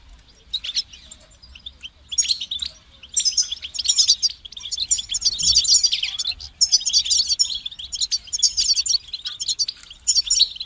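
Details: European goldfinch singing a long, high, tinkling twitter of rapid varied notes, with bright clusters and short buzzy trills flowing in bursts with brief pauses; quiet background.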